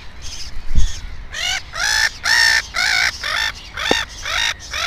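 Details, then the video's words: Black-headed gull at its nest with two chicks, giving a run of harsh, nasal, harmonic calls of about half a second each, repeated in quick succession, with a couple of sharp knocks in between. "Озерная чайка"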